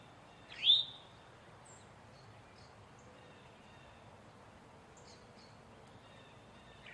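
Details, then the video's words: A male Eastern towhee sounds a distress or warning note: one loud, upslurred chirp rising steeply then flattening, followed by long quiet stretches with faint distant chips. "Eastern towhee call | Alarm / distress / warning sounds"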